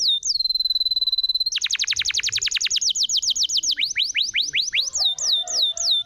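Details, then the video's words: Canary singing, used to coax silent canaries back into song: a long steady whistled note, a fast rattling trill of steep downward strokes, then spaced, slower swooping whistles. "SUARA BURUNG ,PANCINGAN KENARI MACET"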